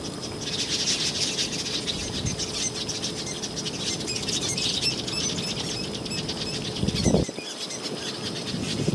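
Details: Southern masked weavers at a breeding colony on the KwaZulu-Natal South Coast in October, males displaying at nests to lure females; a dense, continuous high buzzy chattering chorus with wing flutters and a brief low thump near the end.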